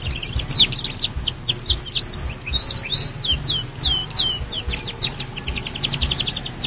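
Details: Young canary learning its song: a lively run of chirps and slurred whistled notes, then a fast even trill of repeated notes, with a low hum behind.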